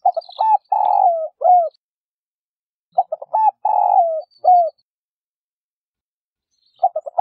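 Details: A female spotted dove repeats her call to stimulate males to coo: phrases roughly three seconds apart, each opening with quick notes, then a long sinking coo and a short final one. Silent gaps between.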